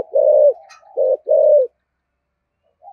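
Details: Spotted dove with a 'giọng thổ' 'thúc gù' coo: a drawn-out low hollow note, a brief click, then two more mellow coos, the last long and gently falling.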